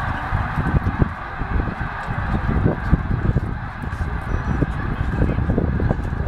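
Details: Large flock of snow geese at Middle Creek Wildlife Management Area, Pennsylvania, 2012, moving from a feeding field to a nearby lake for the night: dense, continuous overlapping nasal yelping honks over heavy low wind rumble.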